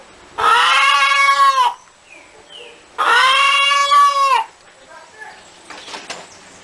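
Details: A hen cackling gives two long, loud, steady, nasal calls about three seconds apart. Softer sounds and faint noise follow at the end.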